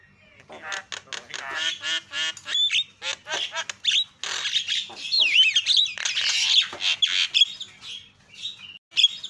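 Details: Javan myna, a loud calling recording meant to provoke other mynas into calling: a long stream of harsh rasping squawks mixed with twisting whistled notes, nearly continuous.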